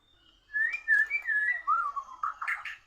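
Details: Oriental magpie-robin (murai) singing in competition with a Borneo bird: a string of clear whistled notes sliding up and down, ending in brighter, rougher chirps, all in a quiet room.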